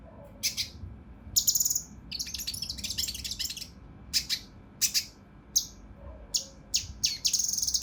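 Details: Harsh, dense 'tembakan' song of the mountain leaf warbler, locally cucak rante mas, for training competition birds: irregular bursts of shrill, piercing notes and short scratchy chatters separated by brief pauses.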